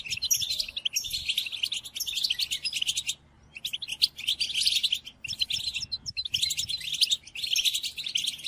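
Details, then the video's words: Goldfinch song for training caged birds: bursts of fast, tinkling twitter with scratchy trills, broken by brief pauses near three, five and six seconds. "قدم هذه الآصوات لطائرك الحسون وشاهد ماذا يفعل Chardonneret"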